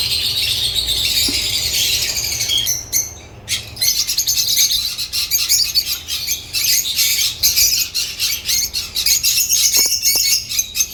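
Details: Flock of African lovebirds keeping up a steady wash of high, squeaky chirps, briefly pausing near three seconds, then resuming with sharp, clustered twitters and scratchy notes.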